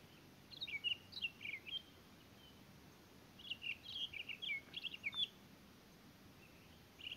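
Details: Townsend's solitaires at Elena Gallegos: bursts of quick warbled, twisting notes at a high pitch, two phrases of rapid rising and falling whistles about three seconds apart, then a brief note at the end over faint steady background hiss.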